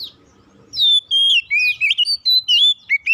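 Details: Lure song of an oriental magpie-robin, meant to spur untrained birds into song: after a quiet start, a continuous string of rich whistles, drawn-out level notes and twisting slurred phrases, loud and clear.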